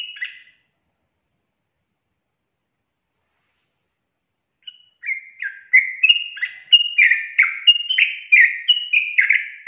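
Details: Sooty-headed bulbul in a long, rapid song: a single note, about four seconds of silence, then a quickening, increasingly loud series of chattering, bubbly whistles.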